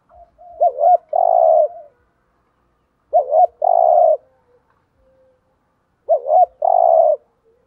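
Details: A decoy spotted dove repeats its thúc gù coo three times, roughly every three seconds, to attract wild doves. Each phrase is a wavering double note followed by a sustained, buzzy, even coo, with near silence between.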